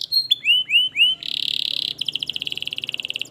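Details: Canary song for encouraging an idle canary to start singing: a few looping whistled notes, then a dense buzzing trill and a rapid, evenly pulsed rattle.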